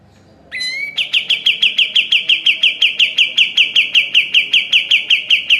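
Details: Master training recording of a vigorously singing sooty-headed bulbul: a rising slurred note opens a long, quick run of identical sharp chirps repeated about three times a second at a constant pitch.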